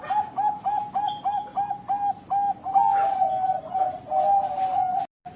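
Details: Zebra dove (perkutut) of the Bangkok Golden line with a long flowing end note: a string of short soft hooting coos that runs into a longer drawn-out rolling coo near the end, small birds chirping in the background.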